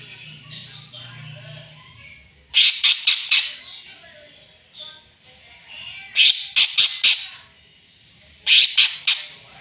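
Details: Greater green leafbird provoked into challenging a rival, giving three volleys of four or five harsh, grating notes each, separated by stretches of low, busy twittering.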